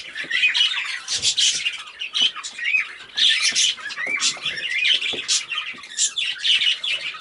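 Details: Pet cobalt recessive pied parakeet, blizzard variety, giving a steady stream of scratchy squawks, rising chirps and clicking warbles, rapid and unbroken, indoors.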